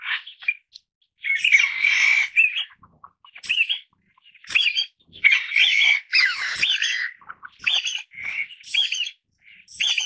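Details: Irregular bursts of harsh chattering and sharp rising notes from a Taiwan bamboo partridge family group, the outbursts broken by short silences.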